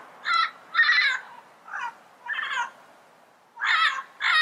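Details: Yellow-headed parrot calling with raspy, croaking squawks in separate bursts, a pair, then two softer notes, a pause, and two loud closing squawks.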